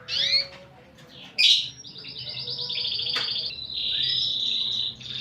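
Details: Canary in full 'gacor' song with a distinctive 'cengkok' style: a brief whistled note and harsh burst, then a long, fast, even trill held for about three seconds, ending in a high sustained tone.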